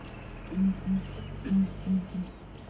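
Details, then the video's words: A Southern Ground Hornbill family group, one male, one immature and two females, calls from its nest tree, a giant sycamore fig: deep, low booming hoots, five soft pulses in about two seconds, paired in a rolling rhythm. "Southern Ground Hornbills calling"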